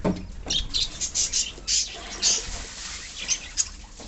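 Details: Pet budgerigars in a colony give short bright chirps and squeaks in loose bursts, loudest early on and thinning out later, with faint low rustling underneath.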